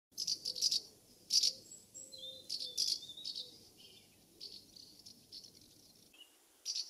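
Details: Common house martins calling as they fly around their nest site in the UK in summer: short dry chirrups and twittering bursts repeated irregularly, with a few thin high whistles between them.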